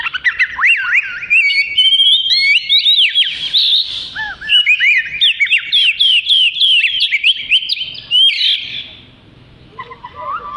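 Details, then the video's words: Oriental magpie-robin in continuous 'gacor' singing, recorded as tutor material for other birds: clear whistled notes, rich warbling runs and sharp chips for about nine seconds, then a pause with a few soft lower notes. "Burung Kacer Suara Gacor"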